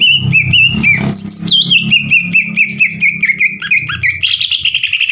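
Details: Greater green leafbird in full voice giving a long 'ngekek' chatter likened to sewing-machine fire, meant to provoke rival leafbirds: rapid high staccato notes, a few whistled slurs, then a steady clipped run stepping down in pitch, faint low hum beneath.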